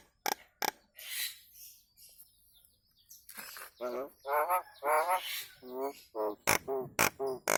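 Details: Nias hill myna song for teaching cage birds: nasal, stacked harmonic notes repeated in short wavering bursts, mixed with sharp loud clicks and a breathy hiss.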